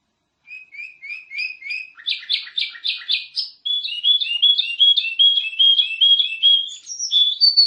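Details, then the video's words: Singing canary, a master recording for teaching other canaries: soft rising chirps building into loud buzzy trills, then a steady, rapid tour of repeated clear whistles that climbs higher toward the end. "Masteran Kenari Gacor ||| Kicauan Merdu"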